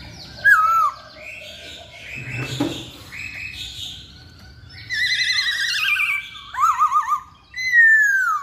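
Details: Masked laughingthrush singing a varied, strong song: a falling whistle, mixed chattering notes, loud buzzy warbled trills, and a final downslurred whistle.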